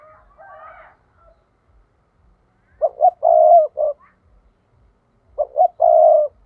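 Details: Decoy spotted dove 'thúc' call for trapping: after a brief higher chirping sound, two loud cooing phrases follow, each two short notes, a long rolling coo and sometimes a final short coo.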